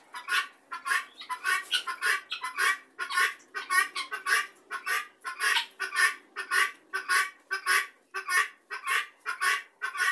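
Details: A flock of helmeted guineafowl gathered together gives loud, harsh, rasping cackles. The grating notes repeat steadily, nearly two per second, without a break for about ten seconds.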